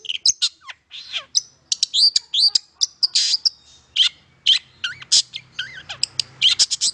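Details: Long-tailed shrike song played to stimulate silent shrikes to sing: a rapid, varied medley of sharp high chirps, harsh buzzy notes and short whistled slurs, tumbling almost without pause.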